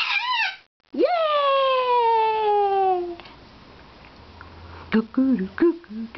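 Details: Bare-eyed cockatoo kept as a pet, yelling while playing in the morning: a brief rising-falling squawk, then a long loud screech that jumps up and slowly slides downward for two seconds, followed by a few short clipped squawks.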